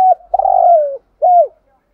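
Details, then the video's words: Spotted dove decoy bird cooing: a long, slightly buzzy coo falling in pitch, then a short arched coo, loud and clear. "chim cu mồi thúc gù bài bản nhất hiện nay"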